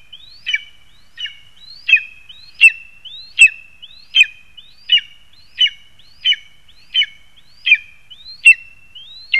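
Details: Lesser spotted eagle calling from a spruce in Zemgale, Latvia, on 22 August 2021: a steady run of about thirteen sharp, high yelps, each preceded by a thin rising whistle, on a quiet background.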